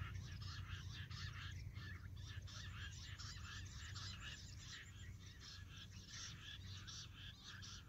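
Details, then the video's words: Jungle bush quail calls played or answered in the field as a lure to catch wild quail: a rapid run of short, harsh chirping notes repeated densely throughout, over steady low hum. "Jungli bush batair awaz se jungle batair ko pakadna"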